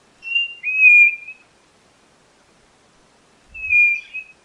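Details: White-bellied nothura whistling: a long note of over a second, pure at first then dipping and sliding into a slightly lower steady tone, followed about two seconds later by a shorter level whistle and a faint low thump.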